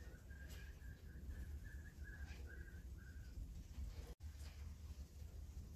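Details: Bonaparte's gull at Oare Marshes, 11 July 2022, giving about eight short, nasal, mid-pitched notes in an even series over three seconds against a heavy low rumble of wind.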